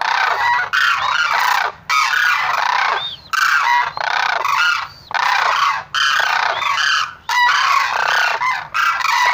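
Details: Sarus crane: loud, harsh honking calls in regular bursts of one to two seconds, separated by short silences, several birds overlapping.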